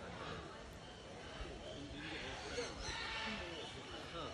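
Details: A cockatoo at Parrot Mountain, Pigeon Forge, Tennessee, USA, speaks to a passing visitor in a rough, human-like voice, seeming to say "goodbye," over a murmur of people talking and steady background noise.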